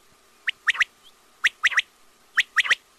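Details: Quail (batair) repeating a crisp three-note phrase three times, each phrase a single note then a quick double note, spaced about a second apart.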